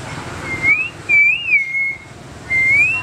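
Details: Captive male hill myna (identification only suspected) kept behind bars at a restaurant in Battambang, Cambodia, recorded at dusk in July 2011; he whistles at passing girls. He gives three clear, human-like whistles, a rising note, a long arched slide down, then another rising note, over faint traffic hum.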